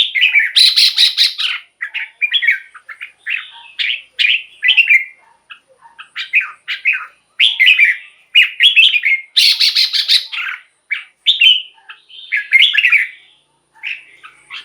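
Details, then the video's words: Song of a caged red-whiskered bulbul, used to get other caged birds excited: loud, busy whistled phrases with harsh, buzzy bursts, delivered in quick succession with few pauses. "เสียงนกกรงหัวจุก สำหรับต่อ หรือ เปิดให้นกคึก เสียงเพราะๆ"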